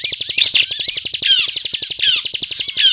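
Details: Bar-winged prinia in 'gacor ngebren' song used as a trapping lure: brief burst of fast high chattering and downslurred whistles, with a steady low ticking pulse underneath.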